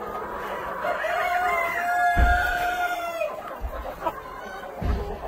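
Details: On a hatchery breeding farm, a Black Copper Marans rooster crows one sustained, level call of about two seconds, followed by clucks and low thumping knocks.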